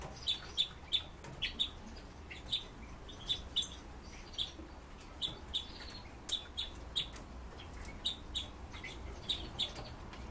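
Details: Kept Red-billed leiothrix give short, high chirps, often in quick pairs, repeated every half second or so over a soft background hiss.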